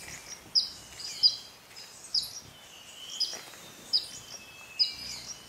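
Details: Montane Woodcreeper (Lepidocolaptes lacrymiger) giving six sharp, very high, thin call notes, roughly one per second, over a faint steady hiss; Bellavista Cloud Forest Reserve, Ecuador, May 2012.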